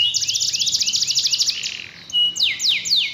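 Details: Canary song played to bring a quiet canary back to lively singing; a fast, regular trill of short chirps, a brief buzzy pause, then three long, clear downward-swooping whistles.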